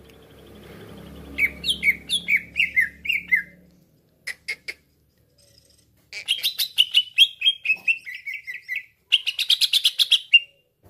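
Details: Green leafbird (cucak ijo) used as a lure call gives bright, downslurred whistled notes, about two a second, in three quick bursts, with a low hum at the start.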